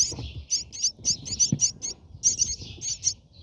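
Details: Brahminy starling (Sturnia pagodarum) at its nest, recorded from inside: rapid, thin, high-pitched chirps in quick bursts of two or three, several a second, over low rumbling handling noise.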